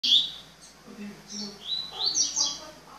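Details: A double-collared seedeater gives a three-note song of high, sharp whistled notes, then a quick run of bright slurred phrases, with soft low murmuring faintly underneath.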